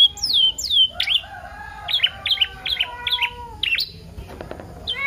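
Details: Canary song for prompting other canaries to sing: clear downslurred whistles, then a run of sharp clipped notes with a lower warbling tone beneath, ending in brief chirps.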